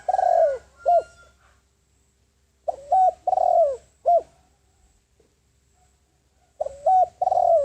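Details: Spotted dove decoy calling to attract wild doves, repeating its cooing phrase about three times: brief note, level coo, long descending coo and a sharp arched note, separated by quiet gaps.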